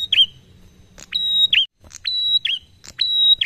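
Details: Prinia giving a slow, relaxed 'ngalun' style song, used to lure other birds into singing. Repeated high phrases come about every second, each a sharp click followed by a steady, thin, high whistle that dips at the end, over a faint low rumble.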